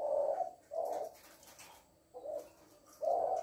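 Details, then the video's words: Female spotted dove, "lối" call: four low, breathy coos spaced roughly a second apart, the first and last loudest, over a faint hiss. "Cu Mái lối"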